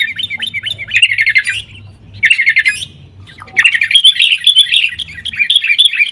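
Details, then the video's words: Excited sooty-headed bulbul chatter in fighting 'tarung' style, used as a singing lure for caged birds; three harsh, rapid bursts of notes are separated by brief pauses. "kutilang gacor TARUNG buat pancingan kutilang agar bunyi"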